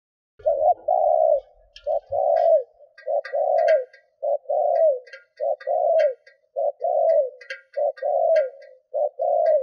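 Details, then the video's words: Decoy spotted dove giving rallying coos meant to lure wild doves: a long run of low, mellow, paired coos in close succession, over scattered clicking and rustling noises and a brief low rumble at the start. "Tiếng cu gáy mồi thúc gù kích bổi Hiệu quả"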